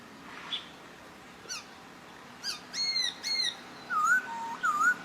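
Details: Papuan poksay at Nabire, Papua, 26 December 2021: after a quiet start come harsh, buzzy, layered notes, then smooth wavering whistles near the end.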